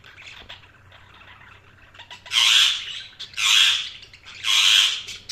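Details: Soft budgerigar chatter opens, then three loud, harsh chirp bursts follow about a second apart, each broad and buzzy.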